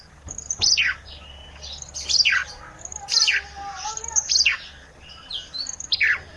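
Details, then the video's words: Olive-backed tailorbird singing isian (filler) song: a high note followed by a steeply falling slurred whistle, repeated roughly every second. "suara isian, ranting gacor"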